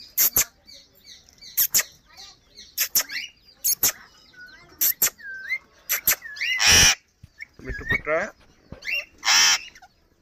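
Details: Alexandrine parakeet, a talking Kashmiri tota, mixing sharp clicks, short whistled glides and chatter with two loud harsh squawks.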